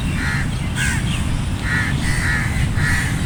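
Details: Crows in a flock giving hoarse, grating caws in quick succession, some short and clipped, others drawn out and evenly spaced, above a constant low-pitched background hum.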